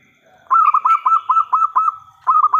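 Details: Zebra dove, local type, singing loudly as a lure for other doves: a brisk series of about eleven rolling coos in steady rhythm, a brief break, then a new phrase beginning.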